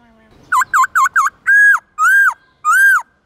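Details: White-cheeked laughingthrush giving a morning song of many forest voices for training young birds: four quick V-shaped whistles, then three longer arched clear whistled notes.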